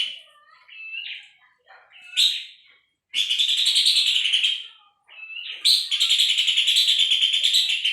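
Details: Puff-throated babbler recording meant for tutoring songbirds: soft scattered whistled notes and short chips, then two long, loud, raspy rattles of rapid pulses, each about two seconds, with a quiet pause between.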